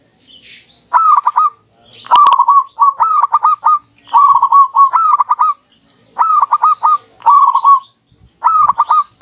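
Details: Local zebra doves, a duet of two birds answering each other nonstop, used as a lure: repeated cooing phrases of rapid stuttering notes, each burst about half a second, alternating with brief pauses throughout.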